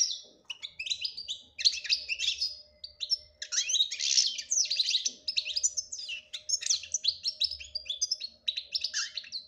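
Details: Goldfinch song of the 'batbata' style, rich in 'tasfiya' clear notes: rapid high chattering and tinkling phrases sung almost without pause, with a faint low hum underneath.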